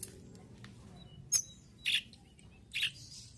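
Mountain tailorbird giving three sharp, very high chipping notes roughly every half second, with faint thin whistles between them over a low background hum.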